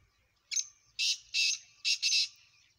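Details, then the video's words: Black francolin calling at close range, right in front of the recorder: a loud, harsh, grating phrase of five notes over about two seconds, a short opening note, two drawn-out buzzy notes, then a quick pair, with a quiet background. "کالے تیتر کی خوبصورت آواز"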